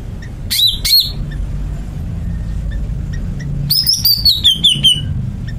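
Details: Greater green leafbird song with short high sharp notes, then a descending string of bright rapid whistled twitters, against steady low rumble.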